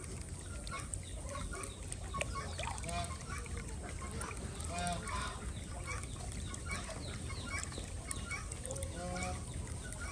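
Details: A flock of Desi ducks is kept on a village farm in Andhra Pradesh, India, where eggs are collected each morning. Raspy, stacked honking calls come in scattered groups over a steady low rumble of background noise.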